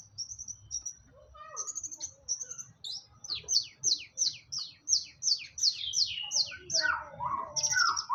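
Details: Captive long-tailed shrike singing; high whistled notes open the song, then a fast run of about a dozen sharp downslurred chips, ending with lower harsh notes.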